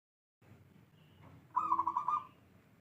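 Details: Local wild-origin zebra dove of the 'bedah karang' katuranggan type gives one quick burst of rapid, pulsed, mellow coos, tightly stuttered and rolling for under a second, over a low background hum.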